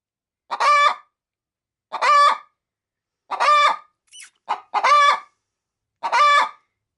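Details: Pet hen getting ready to lay an egg in a feed sack cackles at an approaching person: six loud, evenly spaced harsh squawks about every 1.4 seconds, with a faint high squeak midway.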